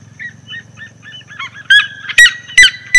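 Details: Red-legged seriema (Cariama cristata) in the sertão of Bahia, Brazil, recorded from a car on the road, gives short yelping notes building into loud, harsh barking yelps about every half second, over a low engine rumble.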